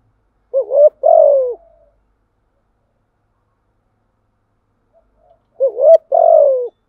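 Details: Cooing of a spotted dove, used as a lure for wild birds: two phrases separated by about four seconds of silence. Each is a wobbling upward coo followed by a longer mellow note that trails downward.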